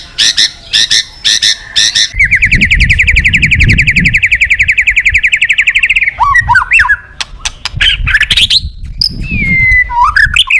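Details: White-rumped shama song used to encourage other shamas to sing: clipped notes, a long fast buzzy trill over low rumbling background noise, then loud looping whistles.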